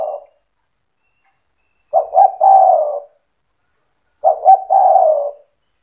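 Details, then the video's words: Singing spotted dove, played to make other doves respond; two full phrases of two quick low coos and a drawn-out falling coo, spaced over two seconds apart, clean and quiet in between. "Suara burung tekukur gacor cetretan bikin deruk tekukur derkuku balam lain emosi ikut bunyi"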